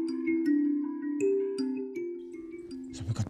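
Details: Ringing mallet-percussion notes like a marimba or glockenspiel play a slow melody, ending in a short burst of noisy percussion.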